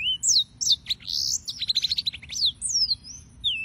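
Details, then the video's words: Short burst of yellow-fronted canary song with long downward-sweeping whistles, a fast stuttering series of chips near the middle, and a closing falling whistle. "Suara Burung - (Serinus Mozambicus) White-tipped Green Singers Singing"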